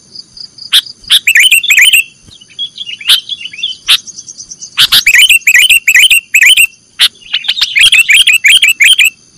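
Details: Sooty-headed bulbul training song in the nggaruda style for cage birds. Bursts of fast chattering, chirped phrases alternate with quieter gaps and isolated clicks, then a long dense run of twittering.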